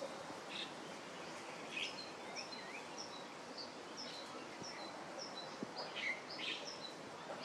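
Chestnut-headed Bee-eaters giving short, high chirping notes repeated every half second or so, some sharper and burrier, over a steady hiss of background noise.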